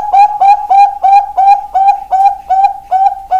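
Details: Ringed zebra dove of the Bangkok type sings a steady, rhythmic series of ten soft, clear cooing notes, each with a small upward lilt, repeated about three times per second.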